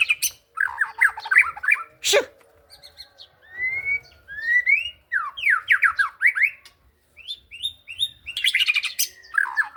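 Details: White-rumped shama song: varied phrases of quick whistled notes, a sharp click, clear rising whistles, rapid downslurred bursts and harsher high chatter, separated by brief pauses.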